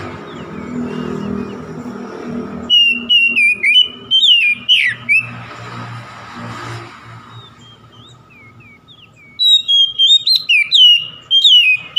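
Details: Oriental magpie-robin singing to provoke a rival: after low rumbling noise, bursts of bright whistles and buzzy slurred notes, a long quiet gap, then a final rapid flurry of high chirped and whistled notes.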